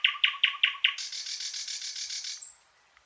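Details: Thrush nightingale singing a run of five loud clacking notes, then a long fast buzzy rattle, ending on a thin high whistle, with no other sounds.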